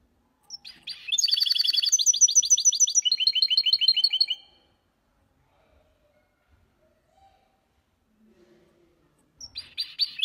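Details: Goldfinch x canary hybrid (mule), a caged bird, singing for training: a bright, fast run of high twittering notes and trills lasting about three seconds, then near silence before the next phrase begins.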